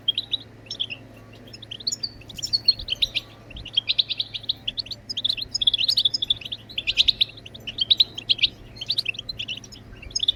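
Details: European goldfinch song, played to stimulate singing in other birds: a long, fast stream of twittering, tinkling and buzzy high notes in bursts, over a low background hum.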